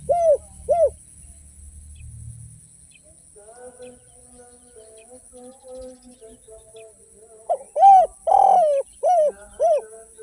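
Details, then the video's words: Derkuku, the spotted dove, singing in its kuk-less or 'kuk 1' pattern: two arched coos, several seconds of near quiet with faint low tones, then a full phrase of five coos around a long buzzy middle note. "SUARA BURUNG DERKUKU TANPA KUK DAN KUK 1 GACOR"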